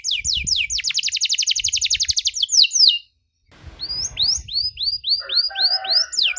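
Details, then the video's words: Canary song for young canaries to learn from: a fast rolling trill of repeated notes, a short silence, then slower sweeping whistles mixed with brief buzzy sounds over a soft background rumble. "KENARI GACOR DORR NEMBAK PANJANG, CENGKOK MEWAH COCOK BUAT KENARI MUDA BELAJAR BUNYI"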